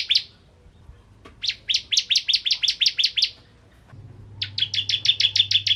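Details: Bar-winged prinia, a crystal ciblek (Prinia familiaris), singing lively to provoke other prinias: rapid series of sharp, high chirping notes, about three per second, in two bursts separated by a short pause; faint low hum beneath.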